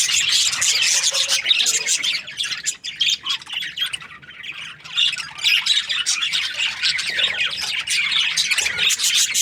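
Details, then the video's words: Breeding pairs of budgerigars, Australian parrots, making a dense nonstop chorus of high, scratchy chirps and squawks from many birds at once, with barely any pause. "Budgies parrot chirping sounds"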